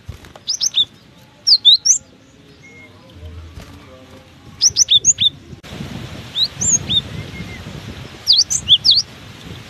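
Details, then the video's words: In strong wind, a cinereous tit keeps up its song: repeated short bursts of three to five bright, high, swooping whistled notes come every second or two, while the wind roars louder in the later part. "Diterpa angin kencang! burung gelatik batu ini tetap gacor"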